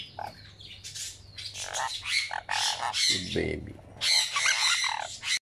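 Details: One-week-old sun conure chick squawking during feeding, rapid raspy pulsed cries repeated about three times a second, a brief lower murmur midway, over a faint low hum.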